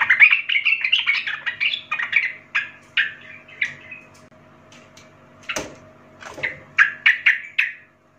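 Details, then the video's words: Energetic song of a young wild sooty-headed bulbul: rapid, bubbling phrases that thin out to spaced single notes, with a loud click, then another burst of chattering whistles. "trucukan gacor Muda hutan - Paling Pandai MELATIH trucuk Bakalan/Ombyokan Cepat Gacor"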